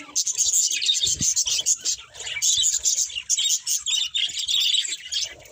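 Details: Several budgerigars warbling during a meal, rapid high chirps and whistled squeaks in quick bursts with tiny gaps, plus a few low clicks and taps from eating.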